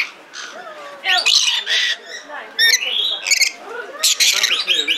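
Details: Captive red lory at the Belgrade Zoo in Serbia, filmed in 2022, giving raucous grating screeches in quick irregular bursts mixed with rising whistled notes, with soft human voices behind.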